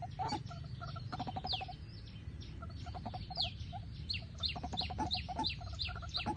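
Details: White-breasted waterhen calling at night, used as a lure for trapping: dense, overlapping harsh clucking notes with steady low tones, repeated rapidly and irregularly, mixed with sharp descending high chirps and constant low background rumble.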